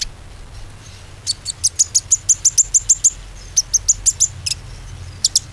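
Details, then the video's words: Bar-winged prinia song played as a lure for birds that have stopped singing: rapid high ticking notes in two runs separated by a short gap, followed by scattered chips. "PANCINGAN KONIN ‼konin macet pasti gacor kembali"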